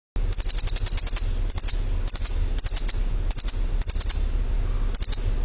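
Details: Bird chirping in short, very high, buzzy bursts of rapid clicking notes, each lasting about half a second and repeated roughly every half to one second over a steady background hiss.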